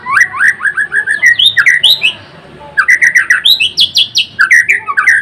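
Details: White-rumped shama, or murai batu, singing vigorously: fast series of rising chirps and varied whistles, a brief pause, then another rapid burst of repeated slurred notes and sharp clicks.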